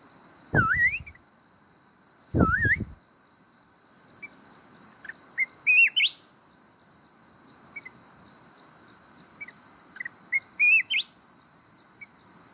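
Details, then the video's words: Mountain-type red-whiskered bulbul singing in wild-style voice, the kít bổi song style: short clear whistled phrases rising in pitch, given in bursts a few seconds apart, with two loud low thumps early on and a steady high insect-like drone throughout. "chào mào núi hót giọng rừng kít bổi cực hay"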